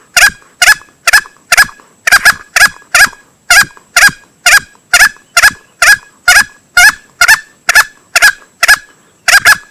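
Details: Male green junglefowl lure calls for hunting: a dense, regular series of short, raspy notes about twice per second, with brief doublets.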